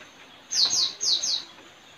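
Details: Straw-headed Bulbul (local name puling), a trained decoy bird kept to lure wild ones, at a village home in April 2021; four quick, sharply falling whistled notes in two pairs, fairly soft against steady background hiss.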